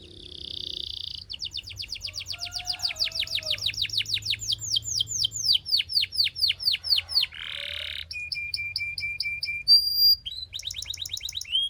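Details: Belgian canary song with a buzzy opening note, a long quick series of descending sweeps, a low harsh burst, a steady trilled tone, and closing bright whistles; faint low hum beneath.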